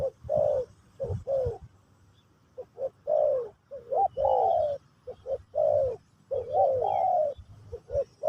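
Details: Spotted dove of the Pesom or Kacuk style singing while teaching a new bird; phrases of short coos leading into long falling coos, several phrases back to back, with occasional low knocks and a faint higher bird note.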